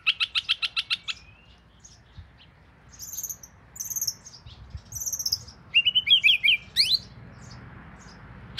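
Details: Oriental magpie-robin, the household's first, called nok binla in the south, delivers a rapid series of harsh ticking notes, then thin high squeaks and a fast run of bright, tumbling whistled notes, with quiet gaps between phrases.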